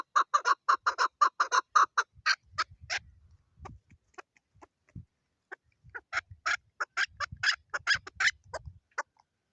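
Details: A female chukar gives rapid, harsh clucking notes in quick bursts of about ten, pausing, then resuming with louder chuck notes; a faint low rumble underneath.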